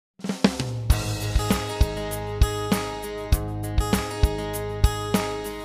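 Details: Instrumental music with a steady drum beat, plucked strings and sustained tones; no animal voice is heard.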